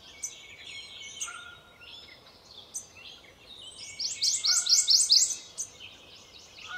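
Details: Prothonotary Warbler (Protonotaria citrea) singing while feeding on a spring day: a quick run of five loud, ringing high notes, with thin calls from other birds around it.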